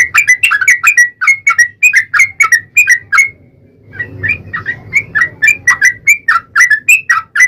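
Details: A Yellow-vented bulbul's lure song, meant to provoke a reply: steady bubbly whistled phrases, each rising then falling, repeated several times a second, with a half-second pause midway before resuming.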